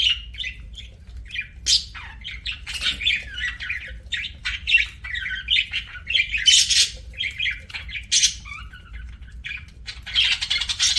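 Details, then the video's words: Pet budgerigar chirping while eating, giving dense, busy chatter of short squawky and buzzy notes in rapid irregular bursts, with brief harsh noisy calls mixed in, continuing steadily throughout. "PARAKEET EATING SOUNDS"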